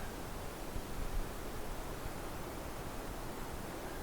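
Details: Steady broadband rushing noise like surf or wind, with low rumble and no animal calls.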